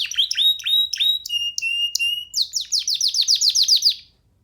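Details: A baby canary sings from a person's hand: bright chirped notes and clear sustained whistles give way to a quick series of repeated descending sweeps, ending abruptly.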